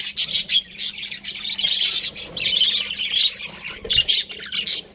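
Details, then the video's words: Budgies giving quick chirps and squawky warbles in irregular bursts about forty times a minute, several voices overlapping. "Cute Budgies Chirping Sounds"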